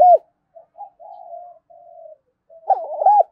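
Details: Spotted dove call used to lure wild doves. A sharp loud note opens, then low soft murmuring coos, then a loud bubbling coo phrase near the end. No other sounds.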